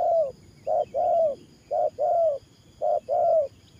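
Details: Spotted dove trapping decoy gives loud 'thổ pha nước gù' coos. Three clear pairs each have a clipped note then a longer coo that rises slightly. Quiet background hiss.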